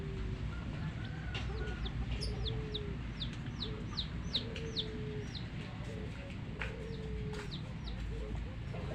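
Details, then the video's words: Hen's baby chicks chirping: bright, sharply falling peeps repeated every fraction of a second, sometimes doubled, while the hen gives soft, drawn-out low clucks beneath; a few clicks and a steady low rumble in the background. "Baby "Chicks Chirping" Sound"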